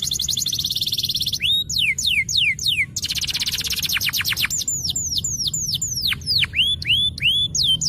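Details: Energetic canary singing from a master recording used to trigger song in silent birds: a fast high trill, then series of falling and hooked whistled notes repeated about three per second, continuous throughout.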